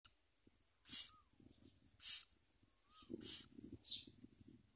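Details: Common myna chicks being fed worms and locusts by their parents, giving harsh, hissing raspy bursts about once a second, with low rustling and a faint short whistle between them.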